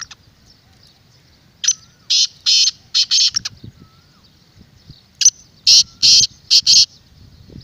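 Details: Call of a black francolin, played to make captive and wild francolins respond: two phrases a few seconds apart, each of about five harsh, rasping, buzzy notes, with faint low rustling between.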